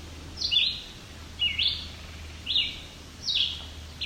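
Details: Young white-breasted nuthatches, apparently being fed by parents in a family of at least five, near Cape Chin North, Ontario, Canada, on July 17, 2019: nasal, buzzy calls repeated about once a second over a low steady hum.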